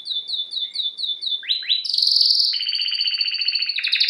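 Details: Canary singing a row of quick repeated downslurred chirps, two rising swoops, then long loud rolling trills at a high, steady pitch.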